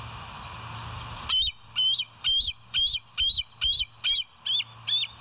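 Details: Shrill, squealing call series from West End Bald Eagles, filmed by a live cam on the morning of 25 September 2023. After a second of background hiss, nine evenly spaced high notes follow at roughly two per second.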